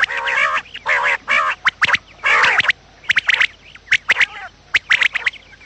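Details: Quail calls recorded in the morning for luring quails into traps: loud nasal, harmonic bursts of about half a second, repeated roughly every second, mixed with quick sharp chirps and clicks from several birds.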